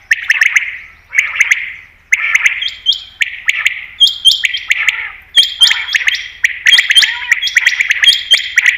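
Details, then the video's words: Common quail (batair) calls meant to lure quail for hunting: regular bursts of clipped notes, about one every second at first, then busier overlapping phrases with high whistled tones. "Batair Ki Best Awaz , Batair Sound , Common Quail New Sound For Hunting 2022"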